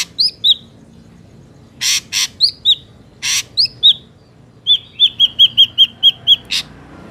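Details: Ashy drongo, wild, used to lure drongos into traps: paired downslurred whistles alternating with harsh raspy bursts, then a rapid string of about eight clear whistled notes ending in a rasp.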